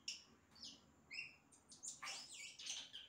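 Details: Yellow-rumped cacique imitating other sounds: clear whistled slurs, some falling, one steady mid-pitched note, then a rush of rough, buzzy, broadband phrases ending in quick high warbles.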